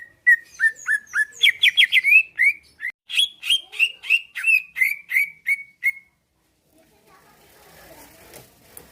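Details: Greater green leafbird, caged, from Pasuruan, Indonesia, singing to incite rivals to answer and fight; a long fast string of whistled slurs, about three per second, climbing then easing down, followed by quiet rustling.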